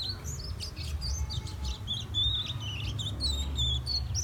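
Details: Young bird called fire red, Guyana, South America: a continuous high twittering of short chirps followed by smoother whistled notes dipping and rising, all over a background low-pitched drone.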